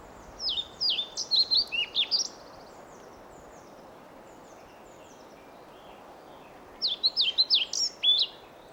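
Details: European pied flycatcher male in Sweden sings to a listening female: two brisk phrases of high, jumping, sweet notes, each about two seconds, separated by a long pause with soft rushing background noise.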